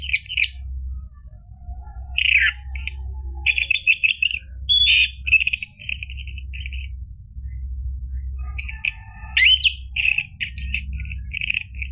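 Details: Orange-headed thrush singing in long, varied bursts, used as a lure for a caged bird that has stopped singing. It mixes harsh, buzzy phrases with rapid chattering and high whistles, broken by short pauses, over a steady low hum.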